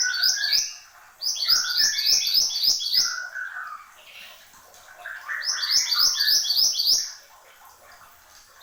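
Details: Horsfield's babbler giving bright, energetic song: two long bouts of rapid, very high, buzzy chattering trills mixed with lower slurred whistles, separated by a short pause.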